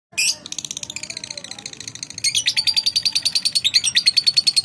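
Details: Lovebird calling in reply to another bird, a long series of harsh high rapid chattering notes repeated steadily about three per second, opening with a sharp loud burst.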